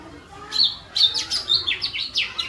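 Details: Small bird chattering in quick, high, slurred notes that rise and fall, delivered in uneven bursts over a hissy background.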